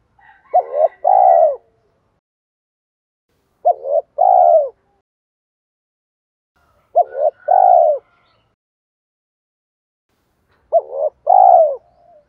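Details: Decoy spotted dove calling to draw in wild doves; four coo phrases roughly every three and a half seconds, each a quick double note followed by a longer falling coo, with faint higher tones alongside.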